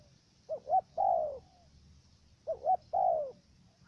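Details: Decoy dove cooing in Cà Mau, Vietnam, luring wild doves toward a trap. Two coo phrases about two seconds apart, each two quick hooted notes and a long, slightly falling coo. The opening is stuttered. Steady faint background hiss.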